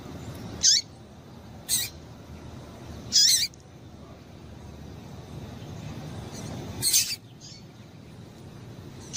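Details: Female double-collared seedeater call meant to stimulate males to sing: about five short, bright, high notes at uneven intervals, some slightly drawn out, over low hiss.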